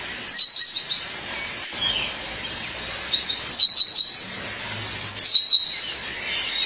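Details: A female Violaceous Euphonia calls to her partner with three separate bursts of sharp, high chirping notes, roughly every two seconds, with faint softer tweets between them.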